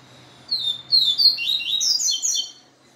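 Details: After a day in a female's company, a papa-capim seedeater sings a lively two-second phrase: a lead whistle, then tumbling high twitters rising and falling in quick succession.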